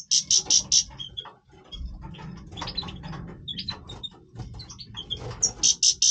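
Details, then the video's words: Major goldfinch singing in breeding voice: bursts of rapid, buzzy repeated notes open and close the phrase, with varied twittering chirps in between. "Stieglitz Major Breeding Voice - singing Goldfinch"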